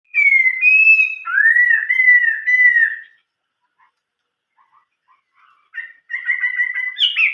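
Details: Chinese hwamei singing in the old-forest voice style: loud clear whistled phrases, a long even note, then falling slurred whistles repeated over three seconds, a pause with faint soft notes, then more rapid whistles rising at the end.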